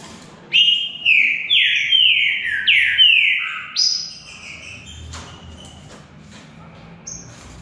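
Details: Green-winged saltator in a song contest between two birds, delivering a run of rich descending whistles, one after another, then fading into softer, scattered high notes.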